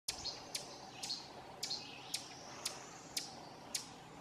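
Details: Ovenbird (Seiurus aurocapilla) scolding at Silvio O. Conte National Fish and Wildlife Refuge, Essex County, Vermont, June 18, 2016: sharp high chip notes about twice a second, eight in four seconds, over faint background hiss.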